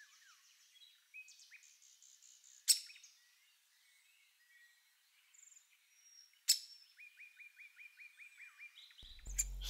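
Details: Great spotted woodpecker nestlings near fledging in France, the last young lingering at the nest hole after older siblings left. Two sharp, loud clicks, then a run of rapid, evenly repeated chattering notes, with faint high calls from other birds.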